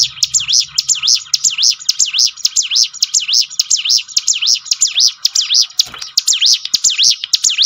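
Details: Prinia (ciblek gunung) song used to coax caged birds into singing more often: a fast, steady string of bright, high notes that dip and rise sharply, about two per second, with no clear background sound.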